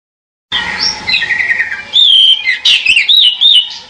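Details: Pied bushchat singing a series of clear whistled phrases, first lower warbling notes, then louder looping whistles rising and falling, with a steady faint hum behind.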